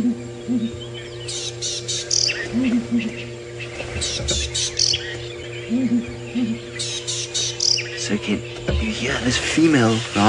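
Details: Southern ground hornbill, thought to be a lone bird often seen by itself, gives eerie deep, soft booms about every three seconds at dawn on 21 February 2018 in wet weather, Sabi Sand, South Africa, under chirping songbirds and engine hum.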